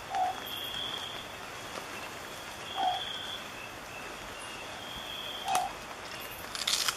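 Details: Long-whiskered Owlet at Fundo Alto Nieva by Abra Patricia in north Peru, filmed in March 2014. It repeats a single short, low, slightly quavering hoot roughly every 2.7 seconds, three times in all, over a steady shrill insect drone and a final burst of rustling.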